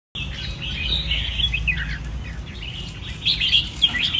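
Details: Caged red-whiskered bulbul in a new-style training cage, giving bright warbled phrases of quick rising and falling whistled notes, delivered in a steady stream with short breaks, over a low background hum.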